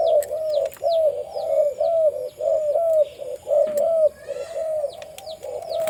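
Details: A deep-voiced male spotted dove kept for breeding at a farm coos steadily, its low hollow notes running together about once a second. Many small birds add quick high downslurred chirps behind it.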